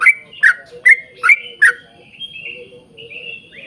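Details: Yellow-vented bulbul singing to lure other bulbuls: five loud, bubbly downslurred chirps in quick succession over under two seconds, followed by faint thin whistles.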